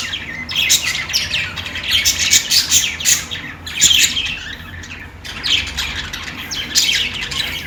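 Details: Budgies playing and chirping: bursts of scratchy, buzzy chatter and high tweets, grouped in busy runs with short quieter gaps, over a faint steady low hum.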